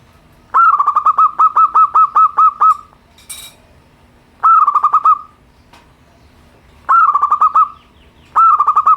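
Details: Simple song of a local zebra dove (perkutut), meant as therapy for birds slow to sing: four phrases of quick pulsed cooing notes at a steady pitch, the first long and rolling, later ones shorter, with pauses between.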